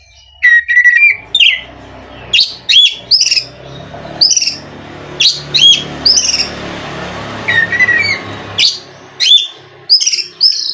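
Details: Oriental magpie-robin (kacer) song used as a lure to make other magpie-robins sing; loud varied phrases of whistles, slurred notes and sharp chirps in bursts about every second, with a faint low hum underneath.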